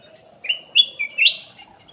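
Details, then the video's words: Short whistled phrase of cucak emas (kutilang emas), an aviary bird used as a lure (pancingan): three or four clear, slightly slurred notes rising and falling in quick sequence. "PANCINGAN CUCAK EMAS \ KUTILANG EMAS"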